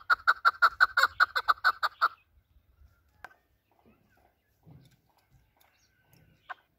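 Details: Desi Afghani chakor, or chukar partridge, giving the voice hunters use. A quick run of about a dozen loud clucking chuk notes lasts two seconds, then only faint scattered knocks and one short final note follow.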